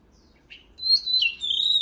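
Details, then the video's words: Oriental magpie-robin giving a brief song phrase for voice training: a soft chip, then a bright, sustained whistle that slides down and wavers. "Luyện giọng chòe than HÓT HAY || Kích chòe than hót căng lửa || Suara Burung Kacer Gacor 2023"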